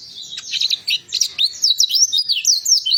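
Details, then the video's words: Warbling white-eye singing to spur a non-singing white-eye into song, a fast, lively stream of high, thin, slurred twitters and chirps with no pauses, bright and sweet throughout. "Pleci Ini Sangat Ampuh Untuk Pancingan Pleci Macet Bunyi"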